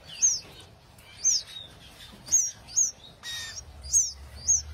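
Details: Canary birds calling with sharp, high, descending chirps, roughly one per second, plus a soft rustle midway and faint low hum beneath.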